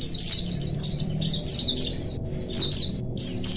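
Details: Oriental white-eye colony calls used to prompt lazy birds into song; high, sweeping chirps in short clusters separated by brief gaps, several birds overlapping.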